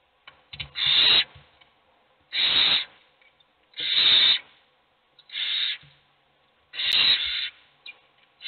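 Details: Hissing, rasping screeches from hungry owl chicks in a nest box, five long bursts spaced about one and a half seconds apart, while only one chick gets fed.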